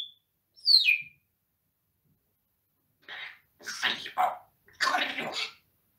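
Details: A pet parrot that talks and swears with its owner gives one high downward-sliding whistle, then harsh, raspy, speech-like squawks in three bursts.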